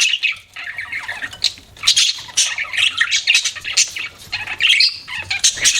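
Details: Budgies kept as pets give a busy stream of high chirps, squeaks and warbled chatter, with short scratchy notes and quick rising whistles running together without pause.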